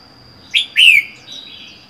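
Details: Lone caged red-whiskered bulbul, captured from the wild four months earlier, giving two quick rising notes followed by a loud slurred descending whistle, with a steady high tone behind.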